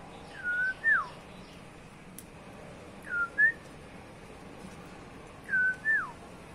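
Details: Pet cockatiel repeating a whistled phrase three times, each a swooping note followed by a second falling slide, spaced about two and a half seconds apart against soft room noise.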